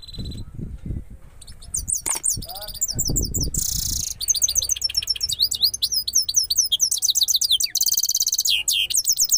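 Goldfinch song: a rapid, high, tinkling twitter of buzzy and liquid notes running for several seconds, after a person speaking at the start.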